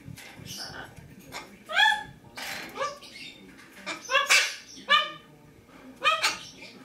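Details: Pet lesser sulphur-crested cockatoo at home on 23 September 2010, giving a series of short harmonic, upward-sweeping squawks about once a second, with a pet macaw talking in the background.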